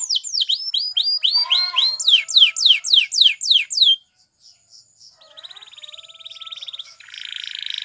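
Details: Spanish Timbrado canary training song: several seconds of loud, regularly repeated falling whistles, a short silence, then a fine, rapid buzzing trill that grows louder at the end.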